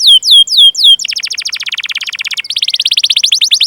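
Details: Canary chirping and rolling, played as a lure for young canaries and ones that have stopped singing. Three or four swooping whistles are followed by a long, fast, rattling trill repeated in two bursts.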